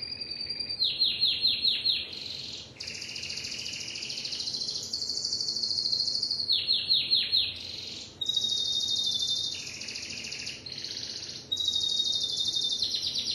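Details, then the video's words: Timbrado canary singing continuously: groups of quick falling chirps alternating with long, bright rolling trills that switch pitch between phrases over more than thirteen seconds. "اسطوانة تغريد كناري التمبرادو"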